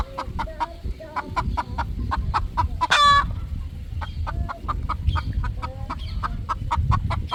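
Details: On a poultry farm at evening sunset, three relaxing roosters keep up rapid, evenly spaced clucks. Near the middle comes one louder, harsh squawk. Low background rumble throughout.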